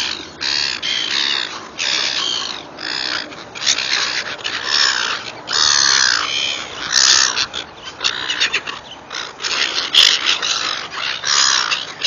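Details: Noisy gulls calling while being fed: harsh, squawking cries in overlapping bursts, each roughly half a second long, repeating almost continuously from several birds at once, with soft background rumble.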